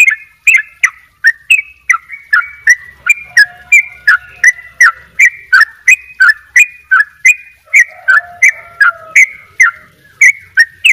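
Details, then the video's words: A long, steady double ropel song from a Bali-type sooty-headed bulbul: crisp, slurred whistled notes repeated almost three per second without a break, with a soft lower whistle appearing briefly partway. "trycuk bali dobel ropell gacor"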